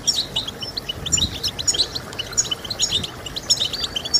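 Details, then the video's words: European goldfinch song for encouraging singing: rapid bright chirps and tinkling twitters, repeated in quick bursts with tiny gaps, over faint low background noise. "Stimulating Birds with Goldfinch Sounds"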